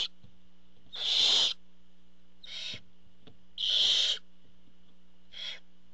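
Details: At a barn owl nest, seen on a nest cam while the father delivers food: four rasping hiss-screeches, loud ones alternating with shorter, quieter ones, separated by pauses, with a low steady hum beneath.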